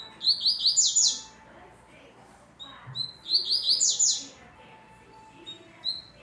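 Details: Double-collared seedeater finishing moult, recorded 17 June 2023, repeating a quick high buzzy trilled phrase twice, with another bird singing nearby.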